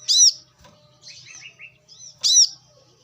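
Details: A brown-throated sunbird calls in the wild on a lure and training recording. Two loud, bright arched chirps frame soft high twitters, over a faint low hum in the background.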